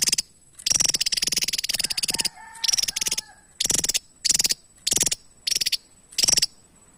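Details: Song of a Javan tesia: one long run of fast, high, ticking notes, then short bursts of the same rapid pulses about every half second to second, with a faint lower whistle in one gap.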